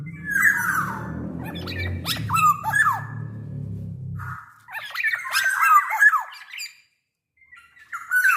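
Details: Big-bodied black-naped oriole in peak singing form, its voice used to prompt other orioles to sing. Brief whistled notes and sharp sliding calls over a low droning hum, then a quieter gap, then a burst of nasal, wavering phrases.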